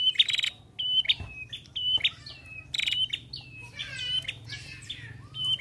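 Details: Female prinia in lively song: rapid series of bright, high chirps and clipped whistles repeated about once a second, with a few buzzy, rattling notes near the end.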